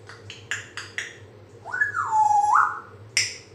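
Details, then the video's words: African grey parrot making sounds: a few short clicks, then a long whistle that climbs, dips smoothly and rises again, followed by two sharp snapping clicks over a faint low hum. "African Grey Parrot making sounds"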